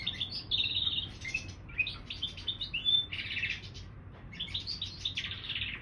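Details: Song of a canary crossed with a bullfinch, mixing clear whistled notes with harsher buzzy, rattling bursts and quick twittering phrases, delivered in uneven spurts with a short gap midway, against faint low hum.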